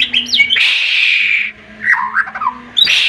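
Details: White-rumped shama, worked up and delivering 'tembakan' song to provoke rivals: brief whistles, a long harsh rasping burst, then a few quick warbled notes and another rasp.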